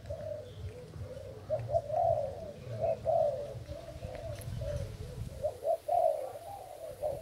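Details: Spotted dove from Thailand used as a decoy bird, recorded 08/08/18; soft, low mellow coos run in a steady series, with several louder, emphasized notes near two, three and six seconds over a faint low rumble.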